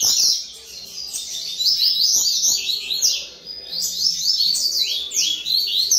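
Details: Several captive double-collared seedeaters at a Brazilian breeding facility sing in a continuous, high-pitched chorus of fast chirping phrases and swooping whistles, with the overlapping strophes pausing briefly now and then.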